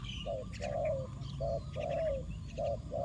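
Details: Decoy spotted dove cooing to lure wild doves. Short, low, hollow coo notes repeat about once a second in uneven groups. Faint higher chirps from other birds and a steady low background rumble.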